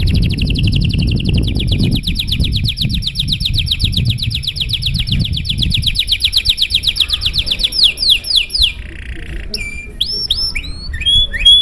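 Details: Canary in a long, showy song meant to draw other canaries into song: an extended rapid trill of repeated notes lasting about eight seconds, ending in falling whistles, a buzzy roll and looping whistled phrases.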